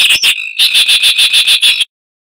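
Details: Zapata wren (Ferminia cerverai) from lowland scrub in Cuba giving a rapid series of about ten harsh, high chattering pulses, evenly spaced, ending abruptly into silence.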